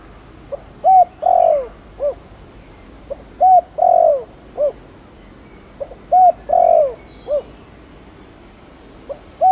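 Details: Spotted dove repeating Thổ Đồng style coo phrases meant to excite other males into cooing: roughly four mellow phrases, each a short lead note, steady hoot, long downward coo and soft closing note, evenly spaced about every two to three seconds.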